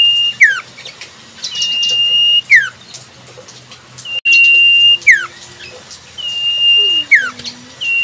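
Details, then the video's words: Wild common iora repeating long level high whistles with sharply dropping end notes about every two seconds; a lower steady whistle and a falling low note appear midway, with faint hum throughout. "Burung Sirtu cipoh full suara asli Alam"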